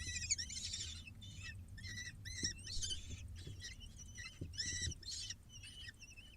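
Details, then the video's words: Begging from six falcon babies during feeding, filmed on a live bird cam: uneven runs of hoarse, arched squeals, some shrill higher notes, and occasional soft knocks against a low rumble. "6 falcon babies get fed"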